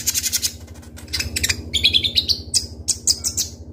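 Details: Kolibri ninja sunbird, a kept bird singing: a rattling burst of high notes opens, followed by piercing, slightly buzzy whistles and quick chirps in tight succession, with a low background hum.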